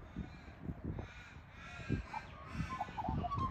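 Two Australian magpies carol together in rich, gurgling, harmonic phrases with a few clear whistled notes near the end. Low thumps of wind or handling run underneath.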